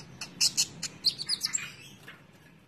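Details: Brief burst from a caged konin: a few sharp, high chip notes followed by a short twittering phrase that fades out, with low background hum.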